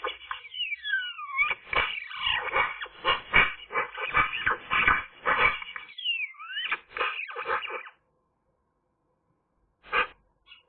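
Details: Eurasian magpie singing on a sunny day, a busy medley of whistled notes that sweep up and down mixed with scratchy chattering for about eight seconds, then silence and a last brief note.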